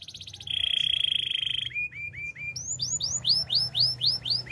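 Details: Canary singing a dense low rolling trill, then a few slurred whistles, followed by looping upswept-and-falling whistled notes repeated roughly three per second.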